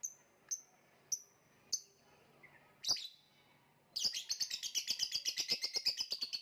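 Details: Lovebird chirping ('kicau'): a few sharp, separate high chirps in the first three seconds, then a rapid, continuous burst of buzzy, high-pitched chatter with many quick notes packed closely together.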